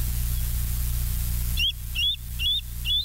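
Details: Bald eagles at the West End nest live camera, 11 July 2023 in the evening; after a loud steady low rumble, a series of high, thin chirping notes begins, repeated about twice a second.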